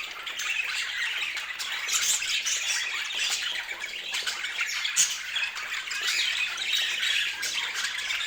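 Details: Colorful pet budgerigars chattering in a dense, continuous stream of scratchy chirps and squawks, with overlapping warbles and sharper peaks near two and five seconds and no pauses throughout.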